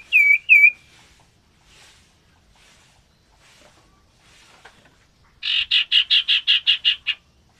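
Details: Captive breeding pair of common ioras being matched for mating: two whistled dipping notes, a quiet gap with faint clicks, then a rapid series of nine harsh buzzy notes.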